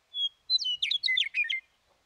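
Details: A Western Meadowlark (Sturnella neglecta), singing in response to other meadowlarks, opens with a clear, high whistled note, then a quick, bubbling run of flute-like warbles lasting about a second and a half.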